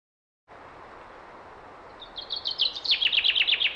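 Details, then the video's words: Common chaffinch in Lakeland, Britain, in springtime, singing a short song that starts quiet and swells into a descending, accelerating series of bright trilled notes, about a dozen repeated phrases ending abruptly. "the song of a Lakeland Chaffinch"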